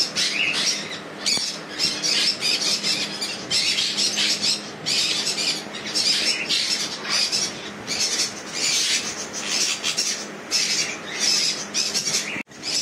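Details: Several hand-tamed sun conures screech together in harsh, high, grating bursts that overlap almost without pause, forming a dense, shrill din with brief dips between outbursts.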